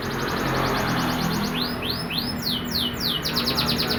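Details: Canary singing a fast, varied song: quick trills of short high repeated notes, then loud arched whistled sweeps about three a second, ending in rapid buzzy repeated notes, over a steady low hum.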